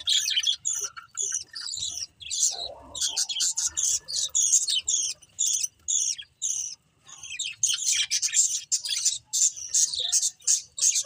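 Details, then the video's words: Pet budgies give rapid, high, sharp chirps repeated in fast pulses, broken by a short, softer murmur early on and a brief pause near seven seconds. "Cute Budgies Chirping Sounds"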